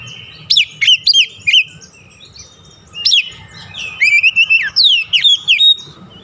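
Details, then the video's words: Stimulating lure song of an Oriental magpie-robin, used to restart singing in stressed birds: short groups of sharp, swooping whistles separated by brief gaps, ending in a rapid run of notes. "KICAUAN PEMIKAT DAN PERANGSANG BUNYI | Kacer stres macet bunyi langsung gacor"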